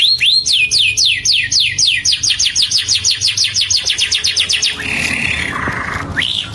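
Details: Indian ringneck parakeet, green, rattling off a long even series of shrill downslurred chirps for nearly five seconds, then a noisy burst of hiss with a short rising squeak at the close.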